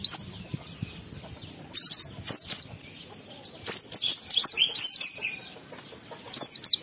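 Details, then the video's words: Oriental white-eye delivering a forest-style song packed with mimicked phrases, meant to fire up other white-eyes: dense volleys of piercing high chirps falling in pitch, a brief noisy flutter, then a long chattering sequence. "Pendongkrak Emosi Pleci Tercepat agar Pleci cepat Ngalas gacor buka paruh || Pancingan Pleci"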